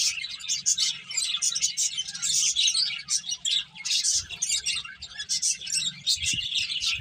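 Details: Finches eating and playing produce a lively flock of high, rapid chirps in overlapping bursts, with a few low taps and rustles toward the end.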